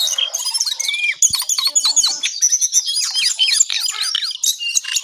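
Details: Brown songlark singing early in the morning: a loud, fast, continuous jumble of high chirps, sharp clicks and short slurred whistles, with hardly any pause.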